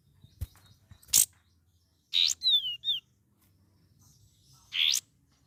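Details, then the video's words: Juvenile sooty-headed bulbul practising varied song: sharp clicks, then harsh buzzy rasps followed by two short whistled notes falling in pitch, and another rasping burst near the end; otherwise quiet. "KAPAS TEMBAK BELAJAR GACOR PENUH VARIASI"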